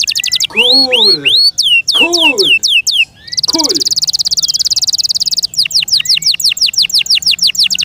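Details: Pet canary in varied loud song: low harmonic warbled notes, descending high sweeps, a long sustained fast buzzy trill, then a run of repeated downward whistles.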